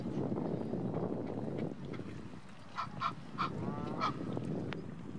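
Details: Male Egyptian goose giving alarm calls at Rombergpark, Dortmund, on 16 March 2012; after a low rumbling background, four short, harsh, nasal honks follow one another quickly over about a second and a half, the last slightly drawn out.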